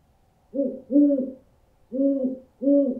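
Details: Owl call meant to frighten birds away: a quick pair of low hoots, a pause, then two more evenly pitched hoots, no other sounds.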